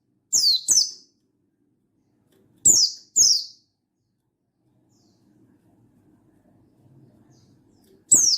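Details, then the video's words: Mountain white-eye, Buxtoni type, calling a rival in energetic 'gacor ngalas' style, meant to rouse other white-eyes to sing, dated 16 August 2022: thin, very high, downslurred chips, a pair, another pair, then one more, with silent gaps. "Burung Buxtoni Gacor Ngalas Memanggil Lawan"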